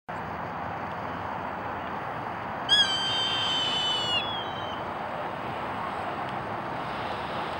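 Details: Hawk giving one piercing, drawn-out scream lasting about two seconds that holds high and then slides slightly downward, against a steady background hiss.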